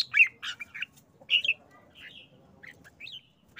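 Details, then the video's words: Red-whiskered bulbul in an excited short song: quick bright chirps at the start, then softer scattered warbled and upslurred notes spaced irregularly. "นกกรงหัวจุก 147 ริก ริก ริก"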